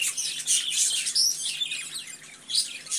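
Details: Several budgerigars warbling and chirping together, high, thin whistled notes and scratchy twitters running almost without pause, with a few sharper squeaks standing out near the start and end.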